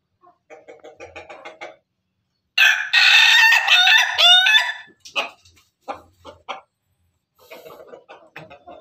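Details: Roosters of the Pelung and Ketawa breeds together: soft rhythmic clucking, then a powerful two-second crow rising and falling, ending in scattered staccato notes and renewed low clucks.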